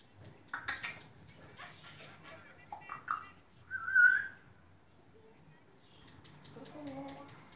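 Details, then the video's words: Female grey parrot on a farm, chattering nonsense to amuse visitors; a string of speech-like babbled syllables, a loud clear whistle in the middle, then softer warbling notes. "Graupapagei Coco erzählt Quatsch"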